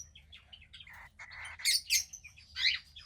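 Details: Dense chattering of a roughly two-week-old female cockatiel chick: quick overlapping chirps rising to loud shrill squeaks, with rasping noise between them.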